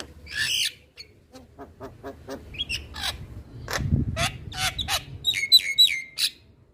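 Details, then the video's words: Male Javan myna song mixing harsh rasping notes, rapid ticking clicks, and short scratchy phrases, ending with a quick series of bright, thin whistled notes. "Suara Alam Jalak Kebo Jantan"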